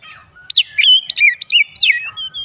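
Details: Kacer, the Oriental magpie-robin, singing a lure phrase: six or so loud, sharply rising and falling whistled notes in quick succession, each with a short downward slur.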